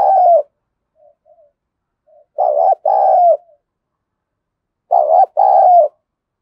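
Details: Decoy spotted dove with a gruff thổ sấm voice calling to provoke wild doves; three rounds of deep two-part coos about every two and a half seconds, with faint soft notes between.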